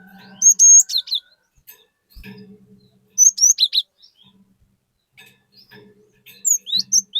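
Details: A cinereous tit sings to coax other birds into singing. Three bursts of sharp, high whistles with rapid up-and-down slurs are spaced by pauses of about a second and a half, with a steady low hum beneath.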